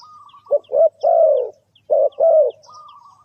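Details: Spotted dove call used to lure birds into a trap: two low cooing phrases, each a short double note followed by a longer drawn-out croo, with a thin steady whistle and faint high chirps in the background.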